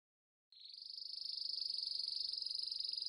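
A canary delivers a steady, high, rapid trill of fast-repeating notes, held evenly for over two seconds after a brief silence.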